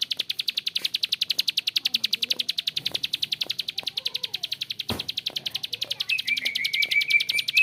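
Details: Bar-winged prinia in a long, rough-voiced ngebren bout: a steady run of harsh, high clicking notes, roughly two per second, unbroken for the whole stretch, with a thin whistled phrase from another bird near the end.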